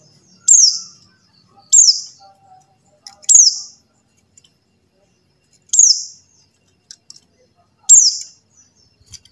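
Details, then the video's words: Buxtoni white-eye call for luring silent white-eyes to sing: five clean, high, thin notes, each dropping steeply in pitch, spaced about one to two seconds apart against near silence. "suara CALL PLECI BUXTONI | untuk pancingan PLECI MACET BUNYI"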